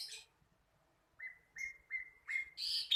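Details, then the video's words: Young sikatan londo flycatcher learning to sing: after a pause, four short clear whistled notes at an even pitch, then a louder, harsher burst of chirps at the end. "Sikatan londo masih belajar bunyi"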